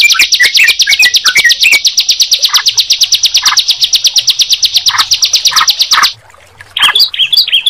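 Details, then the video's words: Bar-winged prinia and yellow-vented bulbul singing together: a fast, buzzy, high trill of evenly repeated notes runs unbroken for six seconds. Lower, warbling chirps are mixed in, and bubbly phrases follow after a brief pause. "Suara Ciblek Dan Trucukan"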